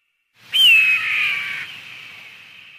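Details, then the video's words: One loud eagle scream that starts high, dips and wavers, then fades into a long echoing tail, with faint low rumbling in the background. "SUARA MASTER BURUNG ELANG || eagle and its distinctive voice"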